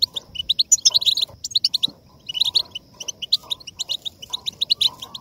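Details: European goldfinch singing to motivate song: clear tinkling chirps and buzzy twitters in fast phrases, with occasional pauses and a few softer lower notes.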